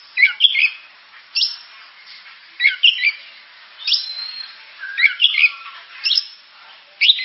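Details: Oriental magpie-robin (kacer) singing spaced phrases roughly every second, each a quick cluster of sharp whistled and scratchy notes, with a thin drawn-out whistle between some phrases.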